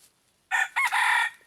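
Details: Red junglefowl decoy crowing to draw in wild junglefowl: after near silence, a loud, coarse crow in two parts, a brief opening syllable and then a long, sustained harsh note that ends abruptly.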